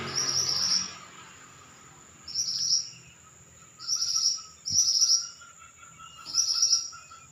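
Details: Pied bushchat singing actively: five short, bright, buzzy high trilled bursts, each under a second, separated by pauses of about a second, over a faint steady high-pitched tone and a low hum.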